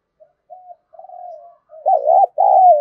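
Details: Spotted dove calling to stimulate other doves, beginning with soft low coos and building to two loud, full, throaty coos.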